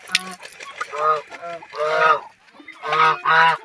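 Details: Geese playing in water give medium-loud, hoarse honks in pairs, with a short quiet gap in the middle.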